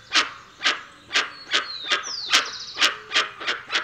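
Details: Loud, explosive, barking notes of a dusky-legged guan, about ten in four seconds with uneven gaps, over soft high sliding whistles of other birds.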